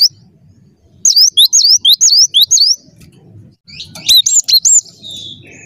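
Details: Energetic gacor song of a gelatik batu: after a lone note, a string of five or six bright seesaw whistles, a brief lull, then another quick series of piercing phrases.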